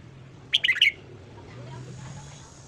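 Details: Red-whiskered bulbul singing its morning song for voice training: a single brief burst of three or four quick, bright chirped notes, then quiet with a low background hum.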